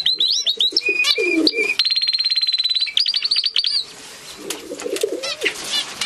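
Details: Gloster canary song with sharp chirps, then a fast, even trill of repeated notes lasting about a second, followed by quick rising whistles; a lower soft cooing sound comes in and out underneath.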